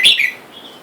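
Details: Caged wild-caught red-whiskered bulbul pair, male and female, wild birds calling for a mate outside; one brief, bright, slurred chirp falling in pitch, then faint sound.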